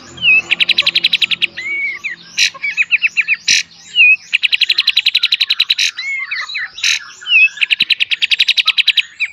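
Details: Full beset and tembak master song of a kapas tembak for cage bird training, packed with long rapid rattling trills broken by bursts and curling whistles, nearly continuous throughout.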